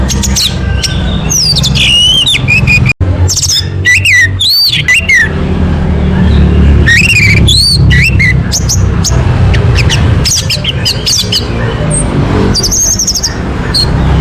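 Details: Orange-headed thrush singing, played as a lure to get a bird singing quickly: rich, varied whistled phrases with rising and falling slurs, several bursts of quick notes, over constant low engine-like hum and brief voices.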